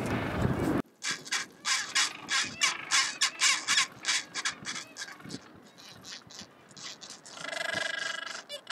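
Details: Chinstrap penguins at a nesting colony with chicks on windswept Georges Point, Rongé Island, Antarctica, bray in harsh, rapid pulses, about three or four a second, ending in a drawn-out nasal note, after a brief burst of wind noise.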